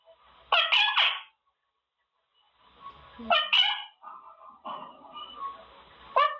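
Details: Caged male Quaker parrot making short raspy vocal bursts spaced a few seconds apart, with softer chattering murmurs in between and a faint background hiss.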